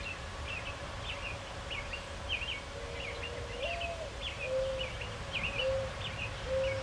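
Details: Mourning dove in a maple tree repeats its low coo: one long rising-and-falling note, then three brief steady hoots, set against a busy, repeated chirping song of another bird.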